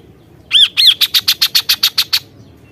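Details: Kaso-kaso singing in the loud, bursting gacor nembak style: two arched, chattering notes, then a fast run of about nine sharp, even bursts that stop abruptly, over a faint low background hum.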